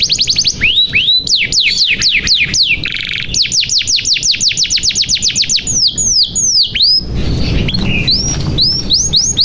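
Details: Canary song in the energetic 'gacor' style, used as a lure to make silent or young canaries sing: fast series of high downslurred whistles, brief buzzy rattle, then bright trills and upswept notes with a short rougher break near the end.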